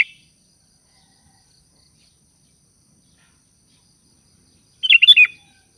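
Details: Sooty-headed bulbul calling to companions: a single short bubbly phrase of four quick fluty notes near the end, after a long silence.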